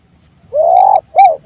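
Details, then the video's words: Spotted dove uttering an unusual call: a drawn-out, even hollow coo followed quickly by a short arched coo and the start of another, low and resonant. "TEKUKUR! SUARA ANEH BARU DENGER KALI INI SEUMUR HIDUP"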